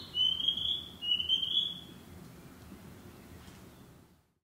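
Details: Narcissus flycatcher singing in the woods, a summer breeding bird here: two matching whistled phrases about a second apart, each a high buzzy trill, followed by soft background hiss before silence.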